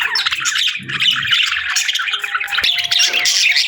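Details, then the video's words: Continuous budgie chatter: harsh squawky chirps and warbling notes layered densely throughout, with some soft low thuds in the background. "Budgies Chirping Sounds"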